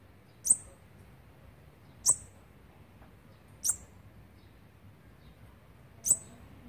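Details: Feeding day twelve of Olive-backed Sunbird chicks, 29 September 2019: four brief, shrill high-pitched squeaks spaced about one and a half seconds apart, over faint low background noise.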